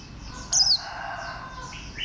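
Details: A single loud, high whistle from a warbling white-eye slides steeply downward, set against a steady background of faint twittering and chirping.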